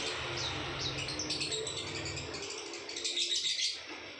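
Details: Lovebird in ngekek style: a fast run of high squeaky chirps that builds into a dense chattering burst near the end, with a low hum underneath.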